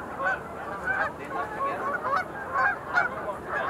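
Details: Short burst of sandhill crane calls from a crowd at the Montezuma National Wildlife Refuge Visitor Center pool in November 2021, with loud rolling bugles swelling in pulses about every half second.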